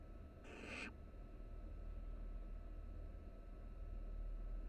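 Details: Three barn owl nestlings in a nest box at the University of Florida, resting close together for warmth; one short breathy hissing screech lasting about half a second, over a steady low hum.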